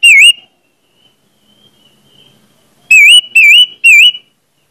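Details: Orange-headed thrush song, played to prompt other orange-headed thrushes to start singing: loud, wavering whistled notes. One note sounds, then a pause of over two seconds, then three more in quick succession. The recording is very loud and distorted, with no other sounds.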